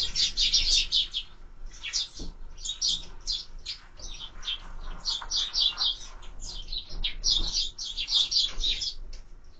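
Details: Sparrows gathered at a bird feeder, recorded by a bird camera; harsh, squawky chirps pour out in fast runs, broken by short pauses.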